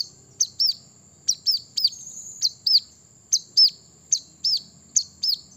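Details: Brown-throated sunbird song meant to provoke rivals into singing: high arched chirps, often in quick pairs, repeated about once a second, with a constant thin high whine behind them.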